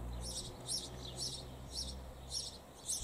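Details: A sparrow pair nesting in a hole in a church wall gives high, thin chirps, one about every half second, six in a row, over a low steady background hum.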